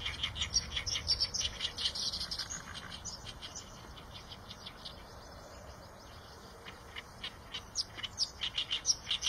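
Eurasian tree sparrows chirp in a busy flurry of short, high notes, thinning out midway and picking up again at the end.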